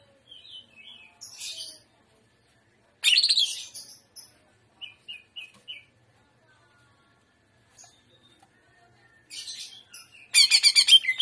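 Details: Cucak ijo, the Greater green leafbird, in trotolan song, gaya udang style: separate bursts of high chattering notes, a quick run of four short whistled notes in the middle, and a loud pulsed rattle at the close.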